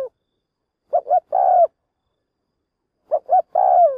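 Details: Lure spotted dove used in trapping, calling to provoke wild birds: two clear phrases separated by a pause, two clipped coos then an extended, soft coo that slides down.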